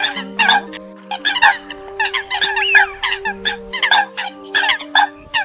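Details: Trapping lure of Eurasian coots, October 2020: overlapping short, nasal calls from a flock, with one rising and falling note near the middle, over continuous low tonal hums.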